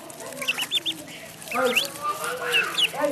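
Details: Duckling calling in the pond: a quick run of high, rounded peeps at first, then mixed higher and lower calls overlapping with busy background sound.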